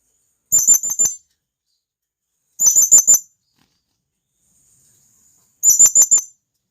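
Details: Three short volleys of four or five piercing, high-pitched squeaks from a wild blue-crowned hanging parrot calling its companions, each volley about two to three seconds apart in an otherwise quiet forest recording.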